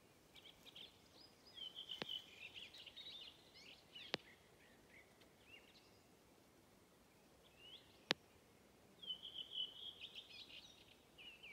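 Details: A redwing sings at Hedströmstjärnen, Galtström, on 7 June 2023: two bursts of high, scratchy twittering about seven seconds apart, with a few sharp clicks and faint background hiss in the gaps.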